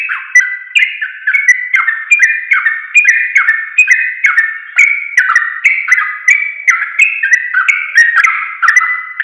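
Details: Sooty-headed bulbul song for training caged songbirds: unbroken run of fluty whistled phrases, each of two to three warbling notes sliding up and down, repeated in a brisk rhythm.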